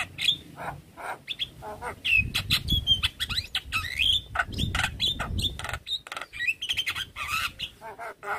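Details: Javan myna, stressed right after hearing a fellow Javan myna call, pours out full isian: dense rapid clicks, rasps and short whistled slurs, with bursts of low thumping noise.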